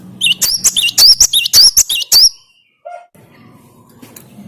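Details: Bright, repeated whistled notes from a Cinereous tit (gelatik batu), used to make other birds sing, run for about two seconds over a low hum before a brief lower chirp and quiet background.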